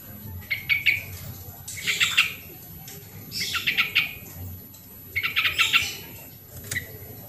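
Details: Sooty-headed bulbul recording meant to prompt lazy birds into song: short bursts of rough, chattering notes spaced roughly a second and a half apart, with a faint single chip near the end.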